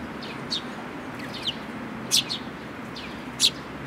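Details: Sparrows with a chick, dated 18 May 2018: clipped high chirps, some slurring downward, with the loudest ones about a second apart over a soft noisy background.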